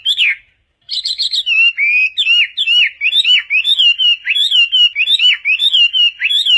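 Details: Chinese hwamei song for tutoring other birds: one whistled note, a short pause, then a quick trill and a long run of looping whistles that rise and fall, repeated in rapid succession.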